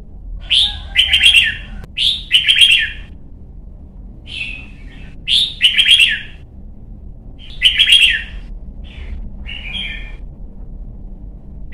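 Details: Red-whiskered bulbul, a young caged bird in Vietnam trained for competition singing, delivering a quick series of short liquid warbled phrases, one every second or two, some starting with a high upslurred note.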